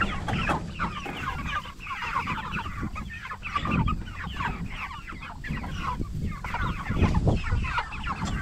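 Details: Cornish Cross broiler chickens at 44 days old, kept for meat, chirp continuously in a crowded chorus of short peeps, partly masked by a strong low rumble and scratching noise.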